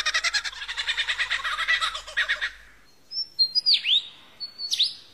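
A lyrebird's mimicry: about two and a half seconds of fast, harsh chattering, then clear whistles with two sharp downward-swooping notes.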